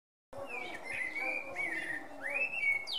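A male common blackbird sings mellow, fluty whistled phrases that slide up and down, with a faint hiss and low hum behind.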